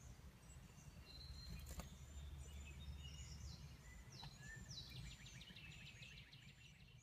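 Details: Northern parula, returned in spring (May 21, 2017), gives a high, buzzy trill of quick notes that climbs in pitch, with other birds calling faintly behind a steady low rumble.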